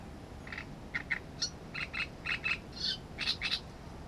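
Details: Great reed warbler singing: a run of harsh, grating chattered notes, some paired, delivered in quick irregular bursts over a low steady background hiss.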